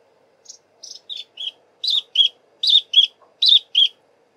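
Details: Long-billed crombec, shy, singing while foraging in very thick bush: a few thin, high chips, then loud paired notes, each pair dropping slightly in pitch, repeated three times in a quick rhythm over a quiet background.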